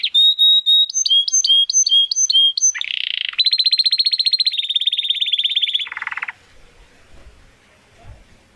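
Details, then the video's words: Crystal-voiced domestic canary song meant as master material for competition songbirds: repeated clear high whistled notes with a short buzzy ending, then a long metallic rattling trill that drops lower before fading into quiet. "Kenari Gacor Suara Kristal Buat Masteran Burung Gantangan"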